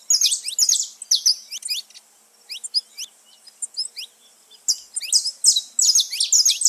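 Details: A flock of free saffron finches in nature: loud bursts of overlapping high chirps, a quieter stretch of single sliding notes in the middle, then dense chattering again.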